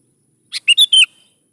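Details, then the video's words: Prolific sooty-headed bulbul song meant to draw young bulbuls into replying: one phrase opening with a soft buzzy note, then three loud, clear whistled notes, the last slurred and trailing off. "PANCING SUARA BURUNG KUTILANG GACOR SATU INI"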